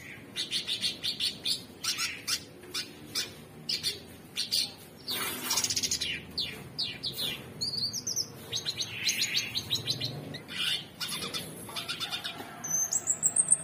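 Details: Long, energetic stretch of modern 'materi' song from a very vocal cucak cungkok, the orange-bellied leafbird: rapid ticking and crackling bursts, buzzy trills, and some clear whistles, ending in a high rising whistle.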